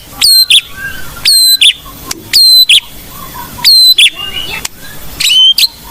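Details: White-rumped shama, a lively singer of the blorok type, whose song is used as a lure and training material for young shamas. It gives sharp, harmonic-rich whistled phrases, each a pair of loud bursts, repeated about every 1.2 seconds, with faint softer notes between.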